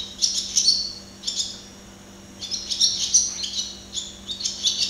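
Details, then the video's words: Barn swallow singing while watched at close range: rapid high twittering and chattering bursts, dense and scratchy, in several runs with a short pause near two seconds, plus a faint steady low hum. "Canto de golodrina - Song of barn swallow - Canto da andorinha-das-chaminés"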